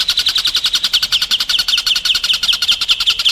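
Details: Training song for contest White-rumped shamas: a steady, very fast series of sharp chipping notes, evenly repeated about eight per second throughout.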